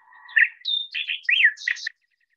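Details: Green-tailed Towhee recorded in high-elevation Butte County, California, around Butte Meadows, September 2021: a roughly two-second song with a clear whistled opening that slurs into quick, varied phrases and ends in a buzzy, burry trill. No other sounds.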